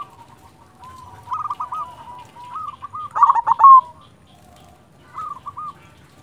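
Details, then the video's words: Silver local zebra dove singing quietly: soft wavering coos and short hooked note runs building to one loud stuttering burst, then a brief soft phrase. "Perkutut silver gacor"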